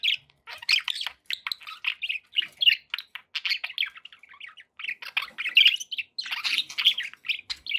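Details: Pet budgies warbling steadily, a long chain of short squeaky chirps and chattering notes repeated at a rapid, uneven pace in a quiet setting.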